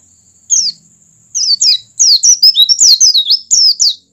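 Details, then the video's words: Oriental white-eye singing to get other white-eyes to join in: one sharp high chirp, a pause, then a loud tumbling series of quick descending high notes lasting over two seconds. "PLECI BUKA PARUH cepat merangsang pleci agar ikut buka paruh."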